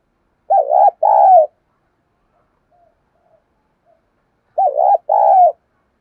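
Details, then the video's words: Decoy spotted dove of the giọng thổ style in Vietnam, luring wild birds: two loud two-part coos about four seconds apart, a wobbling first note then a steady drawn-out one, with faint soft sounds between. "Tiếng chim cu gáy thúc đấu vấy bổi - Chim Cu Mồi Gáy Gọi Giọng Hay bổi"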